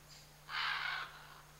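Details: Single drawn-out, hoarse scarlet macaw squawk about half a second long, from one of a pair in the Chiquibul area, over a steady low background hum.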